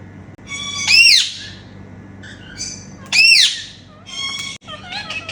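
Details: Indian ringneck parakeets kept as pets give happy sounds during playtime. Two loud, piercing arched screeches come about two seconds apart, with quieter nasal chatter between them and after them, over a constant low hum.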